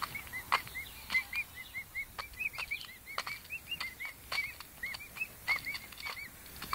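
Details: A busy stream of short, high, arched whistles from pet emu chicks aged five weeks, nearly continuous, punctuated by snapping clicks and scuffling over low background noise.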